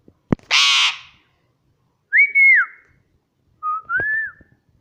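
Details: Indian ringneck parrot, a pet bird in the home; one loud harsh squawk after a click, followed by two steady whistled notes that rise then drop, each a second apart.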